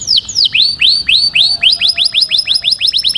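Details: Canary mating song: clear descending whistles that become curved upslurred notes, repeated about twice a second and quickening toward the end.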